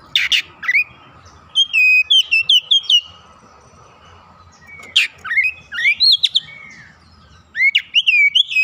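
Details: Oriental magpie-robin, a young bird under training, singing vigorously and unloading its learned filler song. Short bursts of swooping, bright whistles and sharp chips come in three groups separated by quiet gaps, with a faint steady hum behind.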